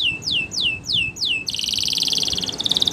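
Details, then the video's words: Spanish Timbrado canary training song: four loud descending slurred whistles, then a rapid metallic rattling trill holding steady in pitch. "Canary's Most Powerful Song For Training"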